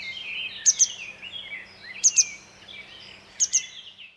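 Grey Wagtail calls: sharp, high metallic double notes, repeated three times about every 1.4 seconds, over a steady rushing hiss of water.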